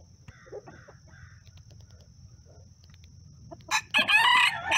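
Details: Bantam rooster with hens: soft clucks and low murmurs, then the rooster bursts into a loud, harsh, rising crow, cut off near the end; crowing, calling hens and alerting to possible aerial attack.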